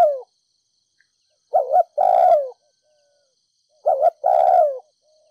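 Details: Spotted dove, ground decoy of Ninh Thuận, in thúc gù coo with đồng-thổ voice to provoke other doves: a trailing coo end, then two full phrases of a quick double note and a long falling coo, clean recording.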